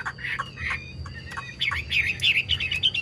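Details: Song of a captive Chinese hwamei praised for singing very well: rough, squawky notes at first, then a dense burst of sharp, twisting whistles and chirps building in volume toward the end, with low background hum.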